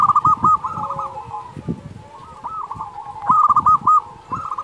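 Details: Singing local zebra dove used as a master track for sluggish doves: fast, stammering coo phrases rise in loud runs, then fade into quieter sustained tones over a knocking background.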